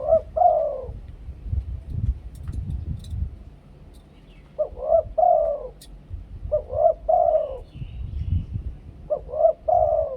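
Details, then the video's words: Spotted dove in Thailand giving a lure-style two-kuk coo song, low mellow coo phrases of several notes repeated about every two and a half seconds, with low rumbling background noise. "นกเขาใหญ่ 2 กุก คูอ่าง เสียงต่อชัดๆ"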